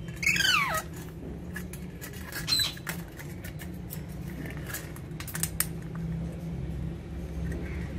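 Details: A pet Alexandrine parakeet, one of several playing with their toys indoors, gives a loud, harsh squawk sliding steeply downward, then a shorter squawk, followed by clicks and tapping over a steady indoor hum.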